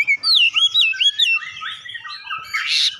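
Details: Oriental magpie-robin with gelatik batu (cinereous tit) mimicry: sweeping whistled notes gliding up and down in a flowing phrase, ending in a harsh noisy rasp.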